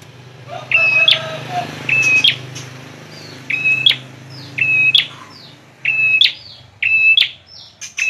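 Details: A bar-winged prinia repeats its phrase seven times in quick succession: a held high whistle closed by a sharp, piercing flick, the series fairly regular with brief pauses and some faint chirps around it.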